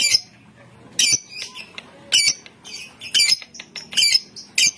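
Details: Contest lovebird kept in Bogor, Indonesia, giving sharp, harsh high squawks in short separate bursts, about one per second, with quiet gaps between them.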